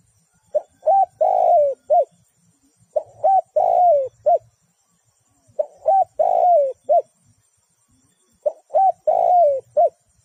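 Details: Spotted dove serving as a trapping decoy repeats a four-part coo phrase about every two and a half seconds: two short notes, a long drawn falling coo, then a clipped final note, with quiet gaps between.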